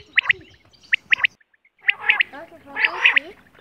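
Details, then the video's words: Quail in a natural setting give sharp, clipped notes in quick pairs and triplets, then a rougher, noisier burst of calls, with faint background sounds. "Quail voice //Quail sound //Batair ki awaz"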